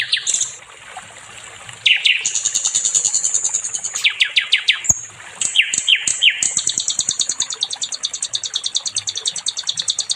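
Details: Nightingale song used as a tutor recording for training other songbirds: loud, high, rapid runs of repeated clicking notes, about three per second, broken by short whistled descending slurs and a brief pause near the middle.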